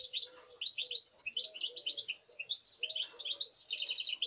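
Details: European goldfinch, 05.08.2019, singing a lively run of clipped, high twittering notes, ending in a fast repeated trill; a faint low hum underlies it.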